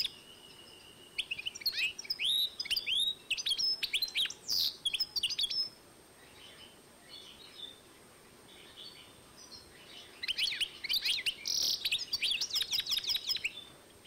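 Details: Goldfinch-canary hybrid, 2012, delivering two bursts of fast, tinkling twitter with sweeping slurred notes and trills, separated by a quiet stretch of several seconds with only faint chirps.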